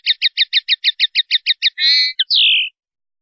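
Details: Linnet singing 'pardillo limpio' from a 2019/2020 silvestrismo CD: a measured run of about eleven repeated twittering notes, then a brief buzzy phrase and a drawn-out falling note.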